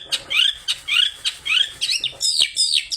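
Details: Long-tailed shrike singing with a fierce mimicry-filled song, played as a lure to set other shrikes singing: clear slurred notes sweeping downward, repeated about twice a second, ending in a burst of higher, sharper chirps.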